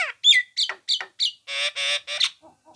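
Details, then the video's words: Loud Nias hill myna phrases for songbird tutoring: a swooping whistle, several falling squawky notes about a third of a second apart, then three harsh buzzy calls and two faint soft notes. "masteran burung jalak nias"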